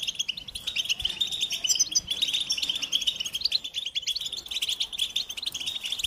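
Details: Continuous high twittering song of a European goldfinch: rapid, dense chirps and buzzy trills run without a break, with faint low background hiss.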